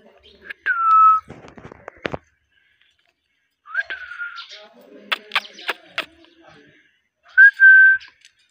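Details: Indian ringneck parakeet kept at home, giving three drawn-out whistles that rise sharply and then hold level, separated by bursts of clicks, rattling notes and crackly chatter.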